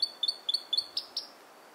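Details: A robin sings close up at Mirror Lakes: a quick run of thin, high paired notes, about four per second, ending in two brighter, louder whistles. The background is quiet.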